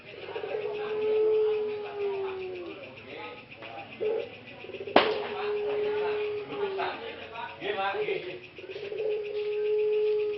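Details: Three male ringneck doves (puter pelung) at a breeding farm near Solo, Central Java, recovering slightly hoarse voices: two long, smooth, slightly falling coos separated by rough broken notes and a sharp knock, over a constant high hum.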